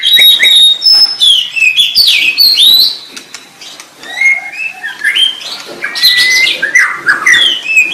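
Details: Long varied song of the white-rumped shama, mixing clear high whistles, quick downward slurs and sharp clicking notes in rapid sequences, with a brief quieter gap midway.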